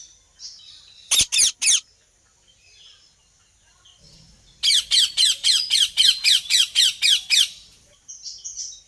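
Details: A ringneck parrot gives three quick harsh squawks, then after a pause a rapid, evenly spaced run of about a dozen loud rasping calls, with soft bird twitters before and after.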